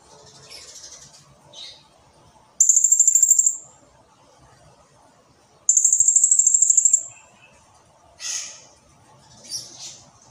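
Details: Blue-crowned hanging parrot singing actively, delivering long, tightly packed bursts: two very high, shrill, rapidly pulsed trills of over a second each, separated by about three seconds, with softer scattered chirps and faint low background murmur.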